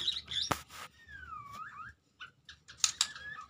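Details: White-rumped shama of the Medan type: quiet high chirps open, then a long whistled note slides down and curls upward, followed by short clipped notes and a few sharp broadband clicks.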